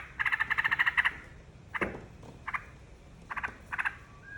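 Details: Yellow-vented bulbul song used as a lure to draw other birds into singing: a fast run of about ten bubbly, gurgling notes, then short separated bursts of two or three rich chirps.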